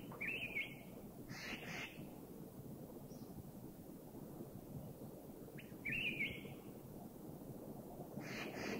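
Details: Black-crested Bulbul (Rubigula flaviventris) in a Thai national park giving short, bright whistled phrases that slur upward, with sharp higher notes, in two bursts about five seconds apart over a steady outdoor hiss.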